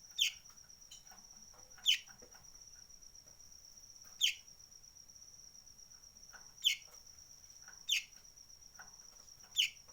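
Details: Sunbird making a strange sound: a series of six sharp, high, falling chips at uneven intervals of about one to two and a half seconds, with a steady insect drone throughout.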